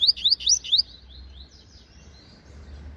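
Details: Meio canto song from a caged double-collared seedeater (coleiro papa-capim), a promising young bird that sings a lot: four loud rising whistles in rapid series, followed by softer high, thin slurred notes.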